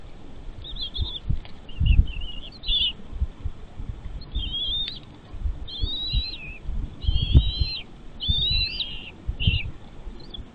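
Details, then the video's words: Nestling birds begging in their nest as parent birds bring food; thin high whistled calls, some rising, some falling, in short bursts through the clip, over low rustling and bumping noises. "parent birds brings food to feed the chicks in their nest"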